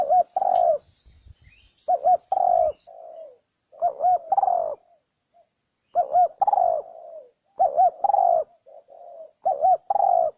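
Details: Spotted dove lure call: repeated phrases of a quick wavering coo and a longer croo, sometimes with an extra soft trailing note, about six phrases in all. Occasional clicks and a faint high hiss sound in the background.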